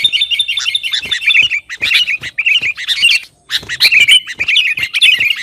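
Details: Sooty-headed bulbul (kutilang) in lively, loud gacor song meant to provoke rivals: dense run of quick chattering, warbling notes clustered mid-high, with brief pause near the middle, then renewed bursts.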